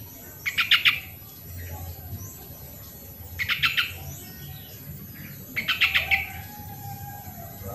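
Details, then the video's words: Lure recording of a sooty-headed bulbul for birds that rarely sing: three brief rattly phrases of rapid pulses, spaced about two and a half seconds apart, with soft background noise between. "suara original burung trucuk pancingan trucukan yang malas bunyi"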